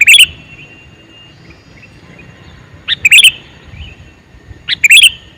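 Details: Male sooty-headed bulbul calling: three short, bright, bubbly chirped phrases, each under half a second, at the start, near three seconds and near five seconds, over a quiet background.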